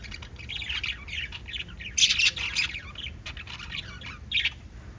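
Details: Pet lovebirds chirp busily with rapid high squeaks. A loud, harsh squawking burst comes at about two seconds and a shorter shrill one near the end, over the continuous twittering.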